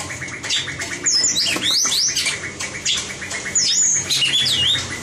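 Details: Competition singing of a white-rumped shama used for voice training: high, sweeping whistles that twist up and down, mixed with sharp clicking ticks, delivered in two clear bursts with short pauses between.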